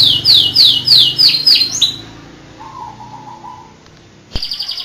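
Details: Champion canary singing: a fast series of descending high sweeps about five per second, a brief pause, a low soft trill, then a sudden loud high rolling trill.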